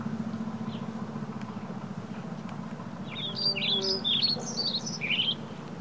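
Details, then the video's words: Young scrub jays with adults, May 2021; a quick burst of short, high, chattering notes in the second half over a steady low engine-like hum. "baby scrub jays"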